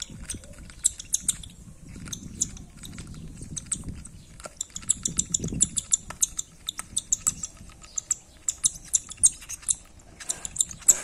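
A cockatiel chick begs with rapid, high, raspy chitters, several a second, over soft low handling and feeding noises.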